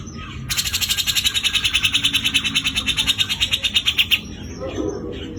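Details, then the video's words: Grey-cheeked bulbul (Javan form) giving its rough trilling song: a harsh, buzzy trill of rapid even pulses, about nine per second, held for nearly four seconds, then cutting off abruptly into quiet background. "besetan kasar cucak jenggot jawa"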